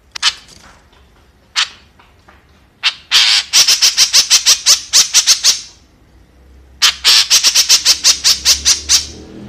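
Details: White-breasted woodswallow giving a few scattered rasping notes, then two long rapid series of harsh, squawky calls, roughly three per second, separated by a brief pause, against a quiet background.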